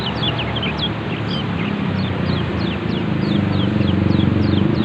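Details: Young mountain white-eyes, kept birds, in a therapy recording meant to bring on the ngeriwik twittering song: rapid thin high chirps and short downslurred notes, several per second, over a loud steady low engine-like rumble.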